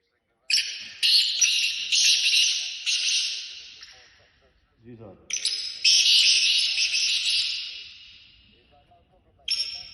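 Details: Black francolin calling at a trial match in London, UK: loud harsh grating bursts of notes repeated in two long phrases, each fading away, with brief human speech in the gap between them.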